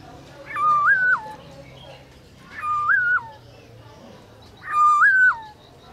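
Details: Black-throated laughingthrush (Garrulax chinensis) singing at midday in a forest-style voice: three loud, clear whistled phrases, each rising then stepping down, about two seconds apart, over faint background noise.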